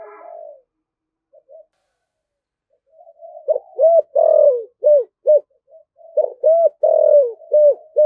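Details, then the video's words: Spotted dove delivering the thổ thúc gù coo style, described as very spirited. A brief soft coo comes first, then near-silence, then a quick burst of mellow, low, hollow coos, some short and clipped, others drawn out and falling. "Tiếng chim cu gáy giọng thổ thúc gù cực đỉnh và rất là hăng"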